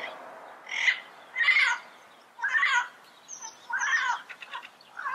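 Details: Yellow-headed amazon producing harsh, grating squawks, about five loud bursts spaced irregularly, with a few high thin notes between them.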